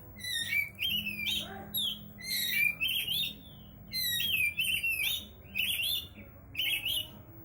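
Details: Oriental magpie-robin singing without stopping, repeating bright warbled whistles that climb and dip, each phrase under a second long with short gaps between, over a faint low hum.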